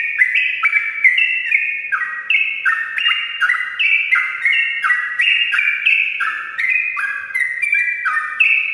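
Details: Sooty-headed bulbul in full morning song, a long unbroken stream of short whistled phrases, each note dropping or rising to the next, repeated several times a second for the whole stretch, with a faint background hum.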